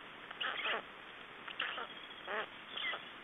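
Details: During a nest exchange and feeding at a black stork nest in Estonia on 3 June 2011, a few short, hoarse, slightly tonal squawks rise and fall. They are spaced about half a second to a second apart over constant hiss.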